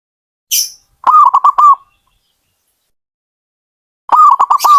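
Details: Zebra dove delivering two rapid stuttered phrases of four or five pulsed mid-pitched coos each, separated by a silence of about two seconds; a short high hiss precedes the first.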